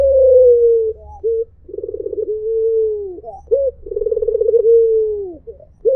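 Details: A white Barbary dove repeats its 'mpuk jeruuu' call. Each phrase opens with a quick 'mpuk' and then rolls into a vibrating, drawn-out coo that sags in pitch at the end. Clean and close, with little background.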